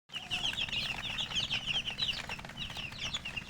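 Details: Domestic chicken chicks in a crowd, giving a dense stream of high, thin peeping chirps that overlap continuously over a low steady background hum.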